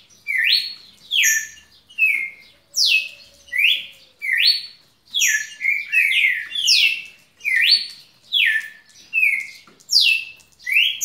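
Red-cowled cardinal singing a steady run of loud, slurred whistled notes, some rising and some falling, about one every second. No other clear sounds.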